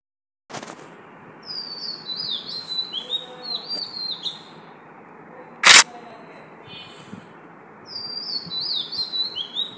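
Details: Oriental magpie-robin singing at 5 am: two bursts of bright, sliding whistled notes stepping up and down, one early and one at the end, with two sharp loud clicks, one at the start and one mid-clip, and a quiet hiss.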